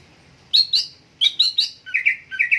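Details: Greater green leafbird in energetic song, giving paired high clipped whistles twice, then dropping into lower rolling chirps repeated in twos, crisp and close against a quiet background.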